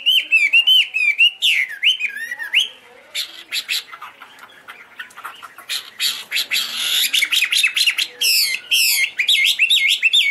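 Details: Chinese hwamei (Garrulax canorus) with wings and tail fanned open, singing high pure vocals: a fast series of loud looped whistles, a softer scratchy middle passage, then bright repeated whistled phrases return.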